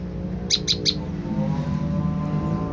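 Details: Olive-backed tailorbird lure call, played to provoke wild tailorbirds into answering: three sharp, high chirps in quick succession, then only a steady low hum and background noise.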